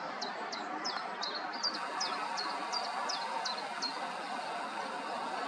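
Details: Common chiffchaff singing from an aerial at Summerleaze, loud and persistent: a steady string of about eleven short, high, sharply falling notes spaced roughly a third of a second apart, over a constant background hiss of wind and distant noise.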